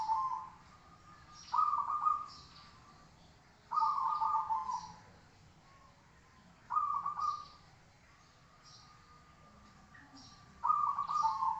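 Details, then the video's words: Zebra dove singing, meant as training material. Four bubbling, stuttering coo phrases, each about a second long, repeat every two to three seconds over a low steady hum. "masteran suara burung Perkutut"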